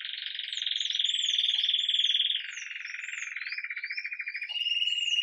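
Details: Lively morning Campainha song of an agate red mosaic Belgian canary, recorded live: continuous low buzzy rolls that drop in steps, with soft arching whistled notes floating above them throughout.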